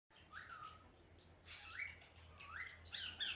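A parrot gives three short squawky calls, each rising then sliding level, about one a second, with a few brief chirps between them.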